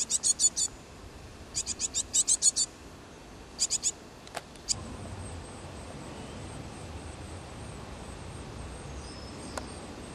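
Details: Great tit family nesting inside an engine's water jacket space and a nest box at an engine museum, before fledging, after the weather improved; clusters of very high, thin, rapid ticking notes in short bursts, then a faint steady high whine over low background hum.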